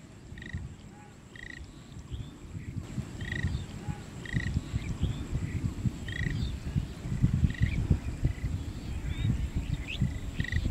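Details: Lesser whistling duck in Manikganj: short clear whistled notes repeated about once a second over steady low rumbling background noise, with a few fainter lower notes.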